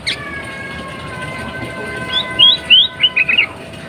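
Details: Breeding female sooty-headed bulbul calling to stir males into song; after a quiet start comes a quick series of bright, slurred warbled notes, each rising and falling, over faint steady hum.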